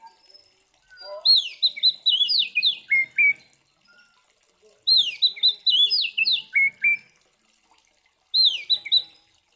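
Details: Fighting song of an Oriental magpie-robin, kept to rile up other magpie-robins: three bursts of rapid, varied whistled phrases full of quick slurs, each lasting a couple of seconds and separated by short pauses.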